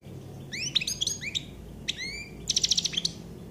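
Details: Common chaffinch song: a run of quick upward-sweeping whistled notes, then a dense rattling burst of repeated high notes ending in a short flourish, over a steady low background hum.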